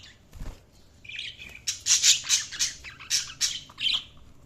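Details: Budgerigars chirping: a dense run of bright, high chattering chirps and squawky notes tumbling over one another, preceded by a low thump and a short quiet stretch.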